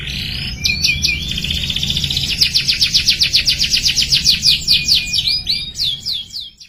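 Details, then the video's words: Young canary learning to sing: opening slurred whistles lead into a long run of rapid, regularly repeated descending trill notes, ending with a few looping whistled notes before fading. "KENARI PAUD BELAJAR BUNYI JADI GACOR | CANARY SINGING"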